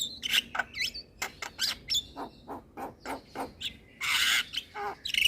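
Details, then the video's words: Javan myna song used to lure moulting mynas and as therapy for them. It has rhythmic, clipped harsh notes about every quarter second, with whistled upslurs, a long buzzy rasp near the end and sudden loud bursts. "Kicauan Jalak Kebo Full Manggut2 Buat Pancingan Dan Terapi Jalak Mabung"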